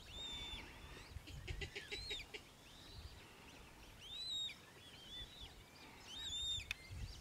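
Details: Eurasian coot at the Tablas de Daimiel and Villarrubia wetlands in La Mancha, Spain, giving a loose series of high arched whistled notes, some in quick rattling bursts, spaced irregularly over a faint low hum.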